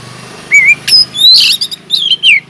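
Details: Kacer (white-rumped shama) singing inside an aviary as a lure for other birds: a rising whistle, then loud piercing notes, a buzzy burst and a downward-slurred whistled phrase in quick succession.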